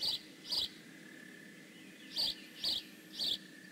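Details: Bald eagle at the Decorah North nest, 15 May 2017, giving high squeaky chirps: two quick notes, a pause of over a second, then three more in close succession, with a constant faint hum behind.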